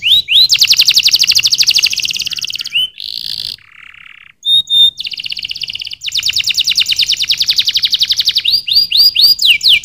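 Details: Canary singing loudly in long fast trills of high pulsed notes. The song breaks briefly for a lower buzzy passage and a pure whistled note, then resumes rapid trilling with sharp rising chirps at the end.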